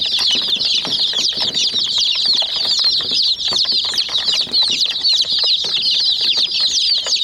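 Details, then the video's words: Many hen chicks peck a miniature toy jeep, producing an unbroken wall of piercing high cheeps, each short and slurred downward, overlapping heavily, accompanied by scattered dull taps. "Mini Jeep Vs Murgi Chicks Chirping Sounds"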